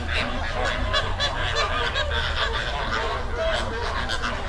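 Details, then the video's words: Flamingo flock in a river in the Dominican Republic, wild: dense overlapping goose-like honking calls from many birds, continuous chatter with no pauses, over a steady low rumble of water or wind. "Sound Effect Of Flamingo Flock"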